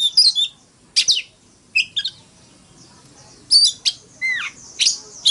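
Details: Oriental magpie-robin singing its fighting song, a morning song used to spur rival singing: short bursts of sharp whistled and scratchy notes with a downward-curving whistle, separated by brief pauses.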